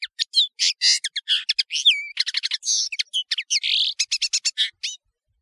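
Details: European serin, known locally as nino in Algeria and camacho in Morocco, song recorded as a tutoring track for training birds: a fast, continuous jingle of high, buzzy, crackling notes with a few sliding whistles, lasting about five seconds.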